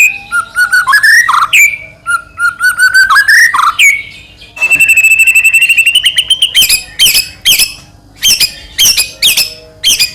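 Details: White-rumped shama song for provoking another shama: long rising whistled glides, then a fast even trill, followed by loud sweeping notes in short bursts.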